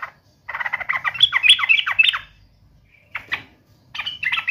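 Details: Yellow-vented bulbul in full, insistent song while challenging an opponent. It gives a rapid burst of bubbly, warbling notes, pauses, then adds two shorter chattering phrases.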